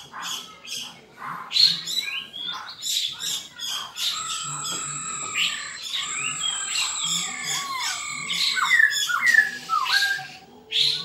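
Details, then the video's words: Fighting song of a black-throated laughingthrush. Fast harsh scolding bursts lead into sustained ringing whistles and sliding, looping phrases, with the rasping chatter returning near the end. "Khưu mun hót đấu"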